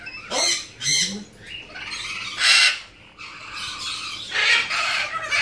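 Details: Harsh, broadband squawks from tame, hand-reared young blue-winged macaws, a captive female and male born in 2017. Four loud bursts come in separate bouts with short pauses between them.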